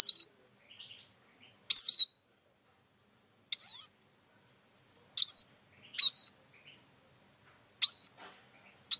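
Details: Single high siskin notes, each a thin falling whistle with a buzzy tail, spaced about every one to two seconds, with faint softer chips between.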